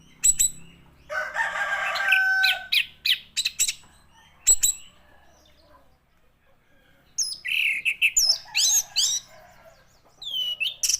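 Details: Orange-headed thrush with a long song of scratchy chatter, sharp clicks and sweet slurred whistles in bursts, a quiet gap, then more rising whistled phrases.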